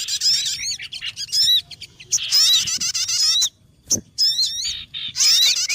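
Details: Trapping lure of sogon birds: bursts of high, excited chatter with looping whistles, about one burst every second or two, separated by near silences and a single soft knock.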